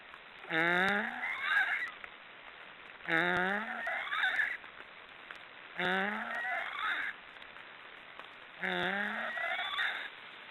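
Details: Black storks snoring: four drawn-out, wheezy calls about two and a half seconds apart. Each rises slightly and carries a stack of bright overtones, with a quiet rural background between calls.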